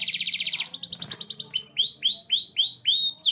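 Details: Canary singing a fast rolled trill that breaks into a rapid stuttering series, followed by a run of repeated sweeping whistled notes about three per second, over a low background hum.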